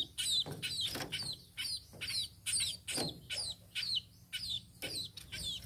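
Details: High, bright chirps from a tame sparrow, each a quick falling note, repeated about twice a second in uneven bursts over a steady low hum.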